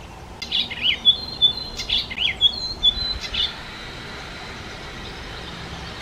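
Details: Icterine warbler, a songbird that imitates the voices and songs of other bird species, in broadleaf woodland habitat; a quick run of varied high chirps, whistles and short trills for about three seconds, then quiet background.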